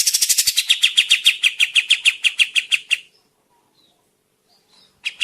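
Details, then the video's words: Kapas tembak bird singing actively, a recording used as a forest trapping lure: a fast chattering train of sharp high notes lasting three seconds, then a pause and a brief restart. "suara pikat kapas tembak gacor"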